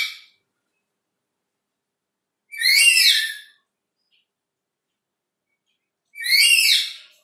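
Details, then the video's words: Black-capped lory calling loudly behind a window, two strident harsh screeches about three and a half seconds apart, clean with silence between. "BERKICAU DIBALIK JENDELA, BURUNG NURI KEPALA HITAM MERAH MAUNYA BERKICAU TERUS"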